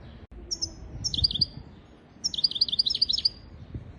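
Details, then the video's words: Song of a European goldfinch, recorded to teach goldfinches and canaries to sing: short high chips, then a liquid twittering phrase, a pause, and a longer run of rapid rolling, bubbly notes. "تغريد طائر الحسون حفاضة لتعليم طيور الحسون والكناري بدون أخطاء"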